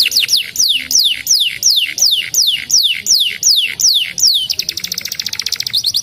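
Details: A canary repeats a loud whistled note that slides sharply downward, roughly two per second for about ten notes, then breaks into a fast, dense rattling trill.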